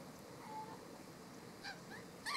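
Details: Burrowing parrot (Cyanoliseus patagonus conlara) gives a few harsh, honking squawks late in the clip, the last one loudest, over a steady background hiss.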